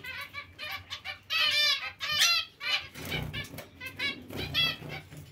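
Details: Many zebra finches calling together in a colony shared with Bengalese finches; loud, buzzy, stacked honking calls come in bursts, some long and drawn out, over faint low hum.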